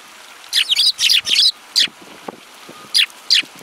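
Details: Several Eurasian tree sparrows recorded on 30 December 2017 give a quick run of bright, high chirps, four clustered together early, then three spaced single notes, over soft background hiss.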